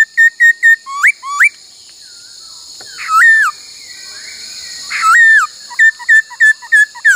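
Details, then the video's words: A laughingthrush in song training sings a varied 'bắt cô trói cột' phrase. Rapid clipped whistles are broken by two longer, louder slurred notes. A continuous hiss sits above the song. "Luyện khướu hót bắt cô trói cột , luyện hót nhiều giọng cực hay"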